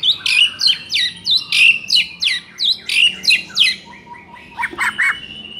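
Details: Training song to spur a quiet white-rumped shama: loud downslurred whistled notes repeated about three times per second for four seconds, followed by a few softer, lower notes and a short high phrase.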